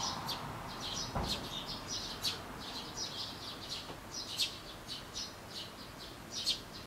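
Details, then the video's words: A pet Java sparrow indoors, much quieter than wild sparrows outside, gives soft, high "pipipi" chip notes, over a dozen in seven seconds. A few sharper clicks, a dull thump early on and a faint steady hiss are heard (24 June 2016). "[Java Sparrow]Kukky has a much quieter voice than wild sparrows"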